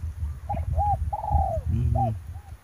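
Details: Spotted dove lured during a trapping session on the morning of 9 March 2021 gives a short series of soft, hollow coos, several notes in under three seconds, over a steady low rumble of strong wind.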